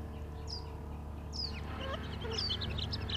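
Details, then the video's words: A quail couple, a mated pair, drinking in the Arizona desert near Tucson on a trail cam gives soft, high chirps and short squeaky notes in scattered bursts over a steady low wood-chipper drone. "Quail Couple Make Satisfying Sounds While Drinking"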